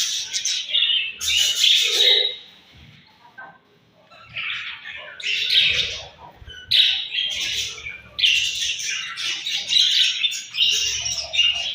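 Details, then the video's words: Budgerigars in the morning at feeding time, giving bursts of buzzy, scratchy chirping chatter separated by short quiet gaps, with several birds overlapping. "𝘽𝙪𝙙𝙜𝙞𝙚𝙨 𝙈𝙤𝙧𝙣𝙞𝙣𝙜 𝙁𝙤𝙤𝙙 𝙒𝙞𝙩𝙝 𝙈𝙤𝙧𝙣𝙞𝙣𝙜 𝘾𝙝𝙞𝙧𝙥𝙞𝙣𝙜 𝙎𝙤𝙪𝙣𝙙𝙨"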